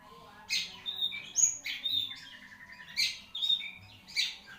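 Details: Long-tailed shrike song from a bird valued for long singing: scratchy, buzzy notes interspersed with short whistled slurs, in bursts about every second.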